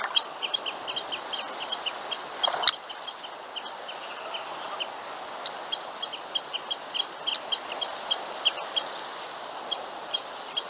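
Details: Grey (Red) phalarope (Phalaropus fulicarius) giving short, sharp, high chips in a quick, steady series.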